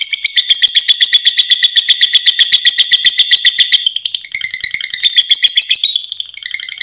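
A lovebird delivers a long, fast, shrill chattering trill, about four harsh notes a second, running almost without pause and briefly faltering near the end.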